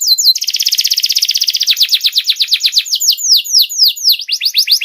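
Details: Canary song for tutoring juveniles: after a brief opening note, a long rapid rattling roll that slows into repeated falling sweeps, bright and high throughout.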